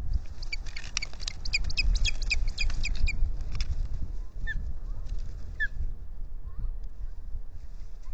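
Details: Osprey pair on their lakeside nest at Salt Point in spring, April 8, 2021, with the male acting defensive: a rapid run of sharp, high, piercing chirps, then a few slurred whistles over a steady low rumble.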